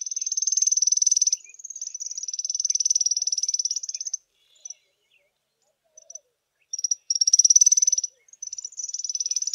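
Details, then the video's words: A small group of African firefinches sitting in the sun on a chilly morning in South Africa: high, insect-like buzzy trills in bursts of one to two seconds, with brief pauses and a short silent stretch between. "AFRICAN FIREFINCH songs"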